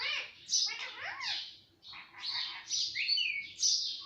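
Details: Pet parrot talking, a bird said to speak words such as papa, mummy and mittu; a quick run of raspy, harmonic syllables with swooping and rising inflections, like chattered speech, in short bursts separated by brief pauses.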